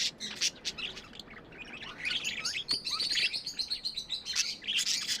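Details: Pet budgerigars chirping: dense, rapid warbling chatter of high chirps, buzzy notes and sharp clicks, with a steady flowing stretch in the middle and louder bursts near the end.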